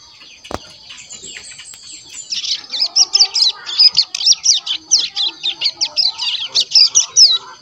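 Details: Caged crescent-chested warbler chick, over one month old, practises song: after a quiet start, a lively series of high, scratchy chirps repeated more than twice a second.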